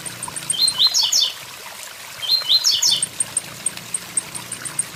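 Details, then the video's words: Blue-black grassquit song over a waterfall, two bursts of quick buzzy upslurred notes about two seconds apart, each a cluster of three or four rising chips, with high ticking notes and rushing water behind. "Tiziu tui tui zel zel com som de cachoeira"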